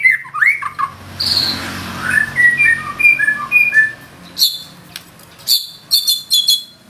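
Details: White-rumped shama in gacor form singing its trained fill: swooping whistles, then a steady run of short whistled notes, followed by sharp high chips at intervals, indoors.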